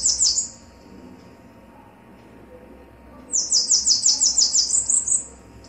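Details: Bananaquit song, male and female: a brief, very high sizzling burst, a pause, then a two-second run of rapid, thin, buzzy notes that climb slightly at the end.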